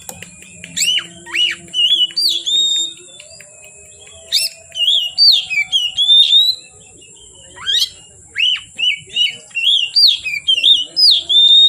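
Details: Oriental magpie-robin in energetic song from afternoon until dark: rich, varied whistled phrases with rapid up-and-down slurs, sharp downward sweeps and short chirpy notes in quick bursts, over a constant thin high electronic-like hum.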